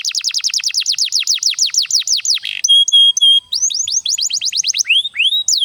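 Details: Canary song for coaxing other canaries to sing: a rapid series of sharply descending notes, a pause of short steady pure whistles, then upward-curving slurred phrases repeated briskly.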